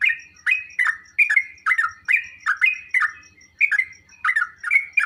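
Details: Sooty-headed bulbul, a recording meant to set off replies from other birds: loud bubbly phrases about every half second, each falling then flattening, over soft low thumps.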